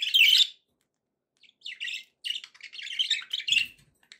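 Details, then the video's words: Pet budgerigars in a happy mood: a loud scratchy chirp opens, followed after a pause by a continuous, rambling, buzzy warble with faint low thumps near the end. "happy budgie sounds"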